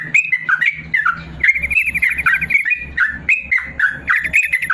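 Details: Long 'ropel panjang' song of a yellow-vented bulbul, used to train lazy caged birds: warbling slurred notes, then a rapid trilled run near the middle, and further bright chattering phrases over low background hum.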